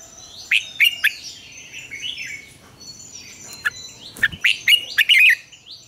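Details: Lure song for training: a red-whiskered bulbul's morning double-note song in mature wild style, with sharp warbled phrases early and a loud, quick rollicking run near the end, other birds chirping faintly.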